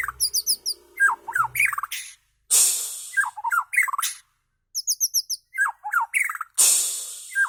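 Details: White-rumped shama of the Medan type giving a strange song of rapid whistled phrases, falling slurred notes and high thin trills in short bursts separated by pauses, with loud harsh hissing blasts between phrases.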